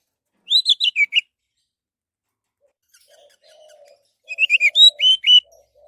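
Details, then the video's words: Lure song of an orange-headed thrush, meant to set other birds singing: a short burst of slurred whistles, a pause with a faint low warble, then a second, richer phrase. "SUARA BURUNG ANIS MERAH"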